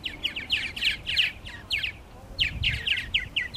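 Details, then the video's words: Purple martins calling at nesting gourds at Lake Mackintosh in Gibsonville, North Carolina, giving rapid chirping bursts of slurred, gurgling notes in two runs separated by a short pause. "Purple Martins At Their Nesting Gourds"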